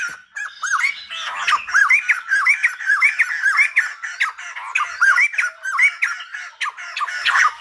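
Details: Silver-headed babbler song: quick series of looping, up-and-down whistled notes mixed with harsh squawky bursts, delivered in a steady, lively rhythm with brief pauses.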